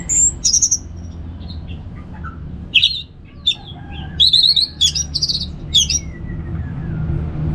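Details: Orange-headed thrush, ngeplong-style song used as therapy: high piercing whistles, then bursts of rapid chirps and buzzy trilled notes separated by brief pauses, with low steady hum beneath.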